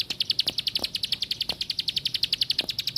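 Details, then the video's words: Plain prinia repeating high, crisp notes in a rapid, steady stream, roughly four a second, with scattered low taps. "Cuma Burung Ciblek Sawah Paman..."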